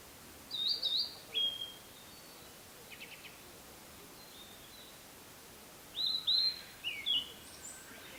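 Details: Blue-and-white flycatcher singing in the prefectural forest park at Yaita, Tochigi, Japan, recorded on a camera with an external microphone: two bursts of clear, high whistled phrases with sweeping and warbled notes, separated by a quiet pause of several seconds.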